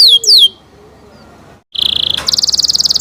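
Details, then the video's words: Canary singing: two quick high downslurred whistles, a pause, then a steady buzzy trill that switches into a fast, even series of high pulsed notes. "canary Nice sound"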